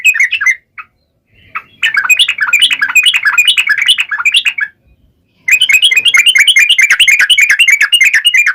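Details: Yellow-vented bulbul, sung in the sharp wild-type 'ngalas tajam' style and played to make other bulbuls answer: rapid, bubbly chattering phrases of quick repeated notes, two long bursts separated by short pauses.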